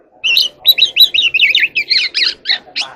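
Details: Evening song of a dancing oriental magpie-robin: an unbroken run of quick warbled and slurred whistles, each about a fifth of a second long, over a faint low hum.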